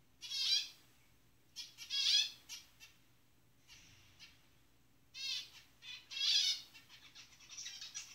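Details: A pair of zebra finches (Taeniopygia guttata) in the jungle calling: short, nasal, toy-trumpet calls in scattered bursts.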